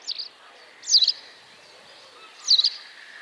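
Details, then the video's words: Great crested grebe with chicks at the Tovačov fishponds, Czech Republic, recorded 2013–2014: three short, high, thin chirping notes, the first soft and the next two louder, spaced over about three seconds against a quiet background hiss. "Potápka roháč, Podiceps cristatus, Great Crested Grebe, Haubentaucher"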